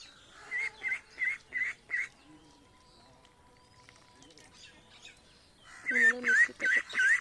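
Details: Village ducks with ducklings heading to the pond in India: two bursts of loud, nasal, harmonic quacks, four evenly spaced calls at first, then a quieter pause, then four more rapid quacks.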